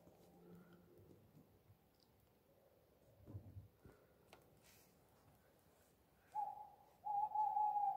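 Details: An owl hoots at night in a small woodland area beside a street lamp outside a front garden, close to a bedroom window: several seconds of quiet rustling, then two steady mid-pitched hoots, the second longer and held about a second.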